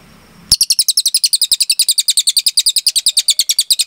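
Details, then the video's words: Cililin in a loud, clean song burst meant as tutoring material for captive birds. After a quiet start, high chattering double notes pour out steadily at around eight per second until the end. "MASTERAN CILILIN GACOR JERNIH TEMBAKAN PANJANG"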